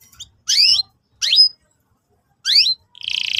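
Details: Canary phrases aimed at young canaries learning to sing: three separate sharp, downward-sweeping chirps spaced about a second apart, followed by the start of a rapid buzzy trill.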